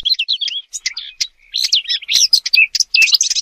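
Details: Robin song in quick, bright phrases: short twitters, a rapid buzzy trill near the middle and rising and falling whistles, with one short pause.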